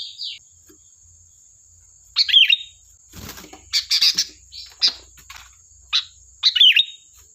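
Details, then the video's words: Lively sooty-headed bulbul song used as a lure to draw replies from other birds: short, bright warbled bursts spaced about a second apart, with a brief wing-flap or rustle in the middle and a thin constant high whine behind. "Suara burung Kutilang Gacor || Ampuh untuk pancingan, dijamin nyaut"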